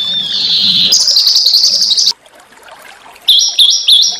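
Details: Small songbird masteran training song for stimulating white-rumped shama, with a natural backdrop: a high steady trill that jumps higher after one second, a pause, then quick repeated whistled notes stepping between two pitches.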